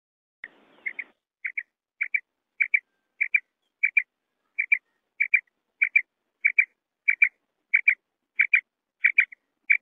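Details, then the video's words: Common quail giving a steady run of paired short, bright notes, the doublet repeated evenly about every 0.6 seconds for the whole stretch, after a brief rustle at the start. "Bater ki awaz"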